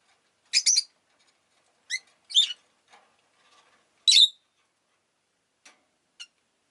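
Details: Rosy-faced lovebird giving sharp, high, harsh chirps at irregular gaps, single or in quick pairs, with near silence between calls and a few faint ticks.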